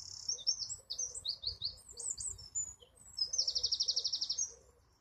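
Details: A wren pours out a rapid jumble of sharp, very high notes, then a dense machine-gun trill near the end, with soft lower chirps in the background.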